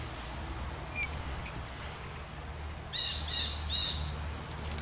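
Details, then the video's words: Young Eastern Bluebird gives a warning call at a Starling after divebombing it, possibly with a hawk nearby: a couple of faint thin notes, then a quick burst of three or four clear, high notes over a steady low rumble. "Eastern Bluebird tries out warning call with Starling"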